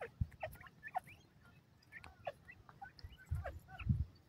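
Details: Female Indian teetar, a francolin: scattered brief rising chirps and squeaky notes, uneven in timing, mixed with loud low bumps near the end.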